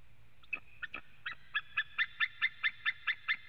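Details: A male White-tailed eagle calling at a nest in Latvia on 23 September 2017 at 14:12, with another male nearby: a run of yelping, nasal notes, spaced at first and then quickening to about four a second, over a faint low hum.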